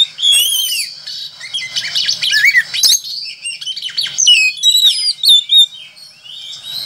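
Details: Energetic Oriental magpie-robin song: a rich, varied run of bright whistles, slurred rising and falling notes and harsh chattering phrases, loud and nearly continuous, with a steady high background hiss.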